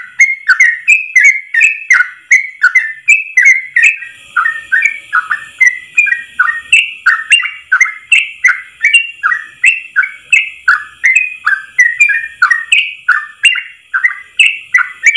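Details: Tutor song of a Yellow-vented bulbul, delivered as one long unbroken 'ropel' run: fast, slightly irregular chain of liquid whistled notes for fifteen seconds, with a faint steady high tone in the background for a few seconds.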